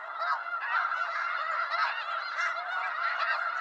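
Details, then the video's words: Short stretch of a wild snow goose flock in eastern North America: loud, dense cackling and honking from many birds, individual calls blurring into a constant, slightly shrill chorus. "Snow Goose Sounds"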